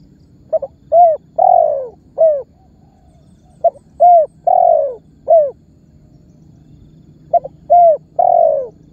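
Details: Spotted dove (tekukur) giving a lure call used to make other birds call and draw target birds closer; three-part coos, a short note, a quick note, then a long descending coo, repeated in phrases with pauses between.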